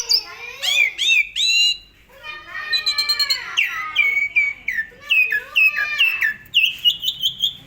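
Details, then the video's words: Asian pied starling delivering varied song meant as a training master for songbirds: opening rising whistles, a short gap, then dense rapid chatter with down-slurred whistles, ending in a long buzzy whistled phrase. "SUARA BURUNG JALAK SUREN GACOR FULL ISIAN AMPUH buat MASTERAN SEMUA BURUNG KICAU"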